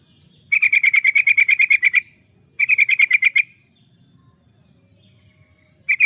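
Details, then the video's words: Lively yellow-vented bulbul song, used as a lure and master for training: a long rapid run of about fifteen evenly paced chattering notes, then a shorter run of ten, with near silence afterward. "Suara burung trucukan, pancingan burung trucukan suara gacor"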